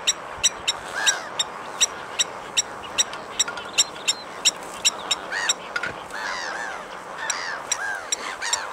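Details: Blacksmith lapwing with rapid, evenly spaced metallic ticks in the first half, then a cluster of looping, arched calls takes over toward the end, all over steady hiss.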